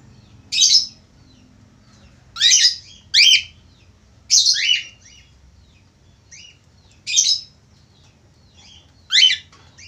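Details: An actively singing male budgerigar gives loud, harsh, scratchy chirps in pairs and singles every one to two seconds, with brief soft twitters in the gaps against a quiet room.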